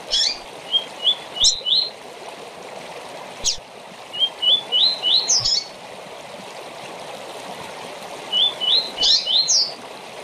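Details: Short song of a rusty-collared seedeater for tournament training: quick runs of rising whistled notes ending in a sharp flourish, repeated three times about every four seconds, with clicks and a steady rushing background.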